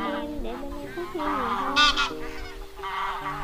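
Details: Wild goose calling the flock, a lure sound for trapping: rapid, overlapping nasal honking with a louder doubled honk midway and another burst near the end, set against steady held musical notes.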